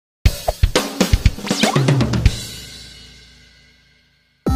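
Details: A burst of drum-kit hits with cymbals that fades into silence, then a sudden loud thump; no animal sounds.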